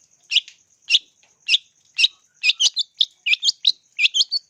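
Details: Long-tailed shrike song used as a lure: spaced single sharp chirps about every half second, speeding into tight clusters of looping whistled notes.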